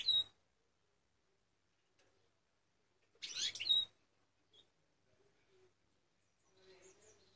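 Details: European goldfinch, eight months old and kept in a cage, utters a quick high chirp. After a pause comes a half-second burst of scratchy twittering, then a soft faint trill near the end.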